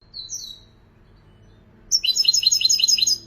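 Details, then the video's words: European goldfinch giving a couple of high whistled notes, a second of quiet, then a fast run of bright, tinkling chirps repeated several times per second until the end. "حسون مبدع ما شاء الله"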